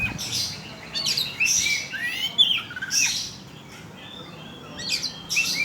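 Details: Oriental magpie-robin song played as a lure to provoke other birds: bursts of high, varied whistles and sharp rising and falling notes with short pauses between phrases, ending in brief chirpy notes.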